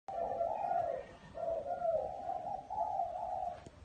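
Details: Spotted dove cooing in a small garden: three low, soft, hollow coos, each about a second long and slightly wavering, separated by short pauses, with quiet background hiss.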